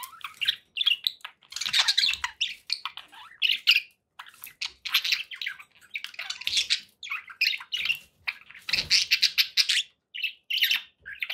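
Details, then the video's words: Pet budgies keep up busy chirping, with scratchy warbled phrases and quick squeaks in short bursts separated by brief gaps throughout. "budgie sounds for pet birds"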